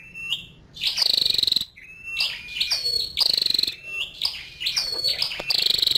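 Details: Female scarlet-backed flowerpecker calling: thin, sharp high chips and short whistled notes alternate with harsh, buzzy, high-pitched bursts about half a second long, repeated several times.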